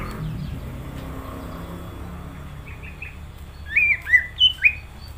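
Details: Greater green leafbird singing energetically: after a stretch of faint background hum, four short, bright whistled notes arrive in quick succession near the end, each with a quick pitch inflection.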